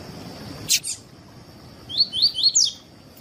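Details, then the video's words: Seedeater of the double-collared kind singing a tuí tuí phrase for warming up other birds: a loud click, a pause, then four quick upslurred whistles, the final note highest and strongest. "PAPA CAPIM TUÍ TUÍ PERFEITO ENSINAR PAPA CAPIM COLEIRO ESQUENTAR CANTO DO COLEIRO/PAPA CAPIM"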